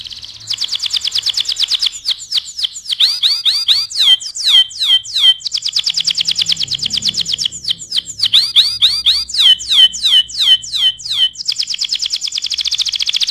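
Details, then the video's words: Canary singing as tutoring material for other birds: long, varied song mixing fast rolling high trills with loud series of sharp down-slurred whistles, phrases alternating repeatedly without pause. "SUARA KENARI GACOR AMPUH UNTUK MASTERAN"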